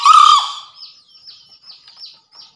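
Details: Green junglefowl from Java, a training and luring master recording: a brief harsh, buzzy crow held level, then a string of faint, thin, high chirping notes.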